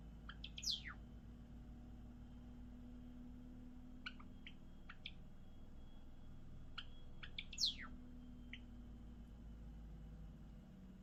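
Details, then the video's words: Sparse Java sparrow song with long pauses: clicky notes and two high falling whistles, about seven seconds apart, against a steady low hum. "文鳥のさえずり Java sparrow"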